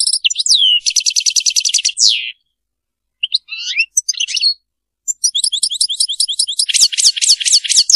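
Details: Goldfinch song: fast repeated high notes and a rattling trill, a pause, scattered twitters, then a second burst of quick chirps rising to dense, rapid repeated notes.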